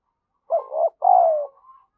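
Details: Decoy spotted dove calling to lure wild birds: a single two-part coo, a wavering hoot then a longer, slowly descending coo, followed by a faint soft trailing note.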